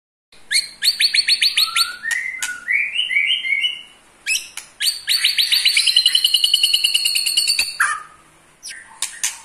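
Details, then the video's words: Eight-month-old white-rumped shama giving its ketrekan, a rapid rattling trill that provokes other shamas: dense bursts of high, clipped notes, a short run of rising whistles, then a long fast rattle before brief closing notes. "KETREKAN Pastol 8 bulan Bikin EMOSI murai Lain"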